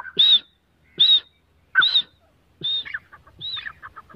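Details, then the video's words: A female grey francolin gives loud, high, ringing notes about every 0.8 seconds, with softer chattering notes from another bird filling the later gaps; Grey francolin. "teetar ki awaaz || GREY francolin voice || Grey francolin female voice"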